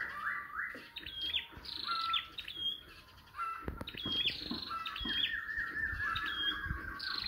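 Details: Scarlet-backed flowerpecker used as a lure call for trapping, giving sharp, high chipping notes and thin ticking whistles in quick bursts, with other small birds chirping around it.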